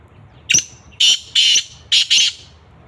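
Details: Black francolin in Sindh, Pakistan, giving a loud, harsh, grating call: one short rasping note, then two pairs of longer buzzy notes, all close and clear over a quiet background.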